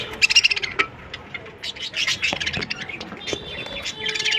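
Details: Many budgerigars chattering in a 100-pair breeding colony, with rapid bright chirps in quick bursts, then a steady jumble of buzzy warbles and squeaks from numerous birds.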